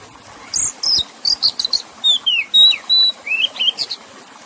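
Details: Oriental magpie-robin singing in a water-sound relaxation mix for stressed or wild-caught kacer: a string of high buzzy bursts, then clear whistled slurs and steady tones, closing with short rising chirps.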